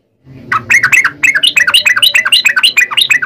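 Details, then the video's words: Sooty-headed bulbul pouring out a long, lively song used to prompt other bulbuls to answer: a fast, uneven stream of bright, bubbling chirps, roughly three per second, with no pauses. "trucukan gacor ROPEL PANJANG buat pancingan trucukan agar bunyi JADIKAN burung trucuk gacor SEKETIKA"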